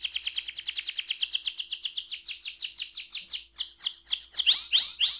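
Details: Canary rolling song meant to stimulate other canaries: an even rapid trill of repeated notes, several per second, shifting midway into louder, slower downslurred whistles.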